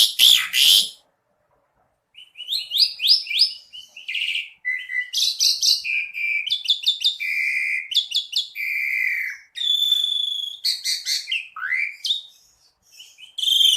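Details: Energetic Asian pied starling song: a harsh screech opens, then a dense, rambling mix of whistles, rattling trills, buzzy notes and a steep rising whistle near the end.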